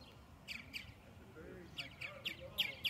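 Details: Purple martins newly arrived at a research colony; one gives about seven short, bright chirps at an uneven pace, some with a quick downward slur, over a low background hum.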